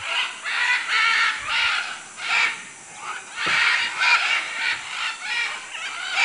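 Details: Macaws in Manu, Peru: a steady run of coarse, nasal squawks, several birds overlapping, rising and falling in loudness roughly every second or two.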